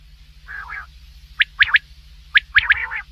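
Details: Calling at night, a common quail gives a brief low purr followed by two sharp, ringing triplets about a second apart, over a low hum.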